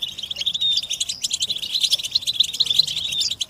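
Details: European goldfinches twittering as a group to make caged males sing: quick, tinkling, high-pitched notes and little buzzes tumble over each other in a steady lively stream.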